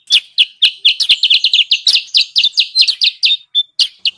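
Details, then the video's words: Lure recording of sooty-headed bulbul for attracting wild birds: a dense, chattering run of short bright chirps, closely packed and uneven, with a brief drawn-out whistled note near the end. "suara pikat burung kutilang sutra"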